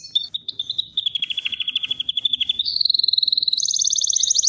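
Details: Canary trilling: a low, even buzzy roll of pulsed notes that steps up in pitch twice, each section faster and brighter than the last.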